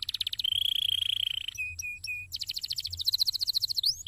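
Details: Canary singing in a cassava garden, offered as nature therapy to calm the bird and encourage song: rapid buzzy trills, a long steady whistled note, brief clipped whistles, then fast rising and falling trilled phrases over a soft low background hum.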